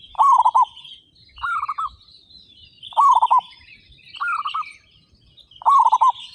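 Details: Zebra doves, 35 local birds, singing with big voices; five evenly spaced trilled coo phrases, one roughly every 1.3 seconds, over faint high chirping of other birds.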